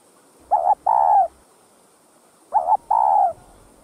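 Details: Spotted dove coo used to stimulate other doves: a pair of phrases two seconds apart, each a brief doubled note then a longer hollow coo that dips at its end.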